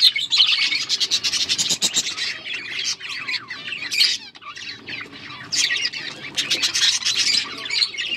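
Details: Budgerigars breeding in a colony, a flock giving rapid chirps, squawks and warbling trills that overlap in a constant high-pitched chatter rising and falling in loudness.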